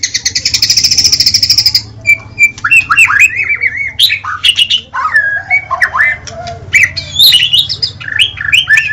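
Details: White-rumped shama singing: a long harsh buzzy rattle lasting nearly two seconds, followed by varied whistled and slurred phrases, some sharp and squeaky, over a low background hum.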